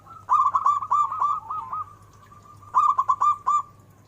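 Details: Two phrases of zebra dove song, each a fast run of five or six soft, rolling coos, with a drawn-out fading note between them and a steady low hum beneath.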